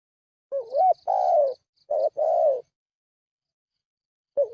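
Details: Spotted dove cooing as a lure call: two clear phrases, each a brief hooked note then a sustained, falling coo. A soft series of high chirps runs above them, and a new phrase begins at the end.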